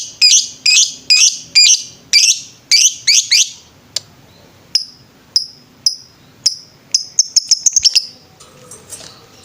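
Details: Lovebird on a master recording for training birds, singing in the ngetrek style: rapid rows of harsh, piercing double squeaks, then sharp single chirps speeding into a fast run, with a faint low rumble at the end.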